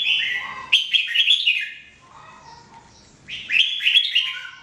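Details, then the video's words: Red-whiskered bulbul, known as jambul, singing in 2017 for training: two cheerful runs of rapid, bouncy whistled notes with a soft lower note between them. "Training Jambul bird singing everyday 2017"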